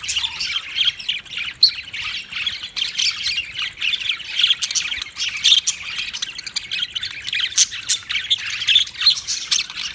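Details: Budgies keep up a steady, grating warble of countless tiny clicks, squeaks and chirps, an even wall of high bird chatter with occasional louder accents.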